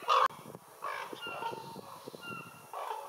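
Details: Raven producing a loud, harsh opening note, then softer rasping calls and a final hoarse call, with faint whistled bird notes behind.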